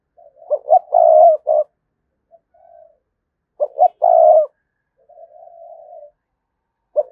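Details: Spotted dove lure repeating its provoking coo: loud stuttered hoots run into a long, steady low coo, followed by quieter trailing notes, the whole phrase heard twice with a third beginning at the end.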